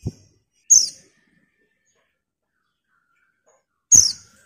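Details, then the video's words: Female white-eye calling a male: two short, sharp, very high chirps about three seconds apart, each a quick downward-sliding note, with soft low knocks and otherwise silence. "TERIAKAN PLECI BETINA MEMANGGIL JANTAN"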